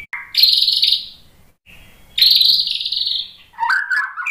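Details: White-rumped shama singing in a provoking lure recording: a short whistled note, then long raspy buzzing phrases at high pitch separated by pauses, ending with a lower warbled whistle.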